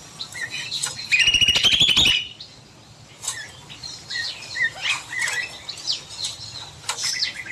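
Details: In an evening aviary, a cucak mini bulbul delivers a fast, rattling trill of about one second, surrounded by scattered soft chirps and short whistles from other birds.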